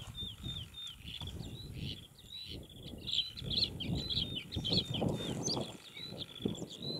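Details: Bluethroat filmed in June 2021, singing a rapid, varied run of short whistled and chirping notes around mid-high pitch, phrases tumbling continuously over seven seconds, with steady low rumbling background noise beneath.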